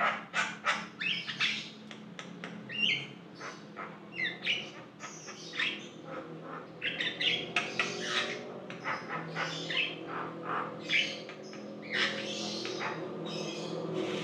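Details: Lively Javan myna (jalak kebo) song for luring another bird to sing: a long rambling run of rasping squawks, chatters and brief whistled notes, dense and varied, over a faint low hum.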